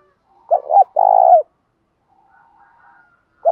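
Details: Decoy spotted dove in the 'thổ pha' fighting voice: one full coo of two clipped notes and a long rough note, a soft murmur, then the start of the next coo.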